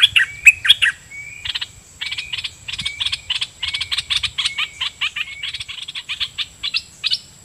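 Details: Red-whiskered bulbul decoy singing at wild birds: loud opening chirps, then a long rapid series of clipped chattering notes, about four each second, threaded with short level whistles, over a faint steady high hum.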